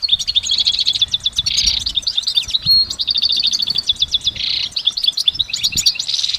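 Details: Goldfinch song in nature, long and unbroken: rapid liquid twittering mixed with buzzy rattles and a short pure whistle, rich layered phrases throughout.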